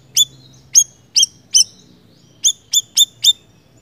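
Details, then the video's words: High, sharp chirps from a small minivet (siri-siri), four spaced notes followed by a quicker run of four, each note brief and thin, over quiet low hum. "Suara Burung Siri Siri Gacor"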